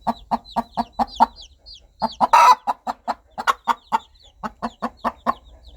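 A mother hen calls her chicks with rapid, low, throaty clucks, about four a second in short runs, broken once by a brief harsh burst of noise.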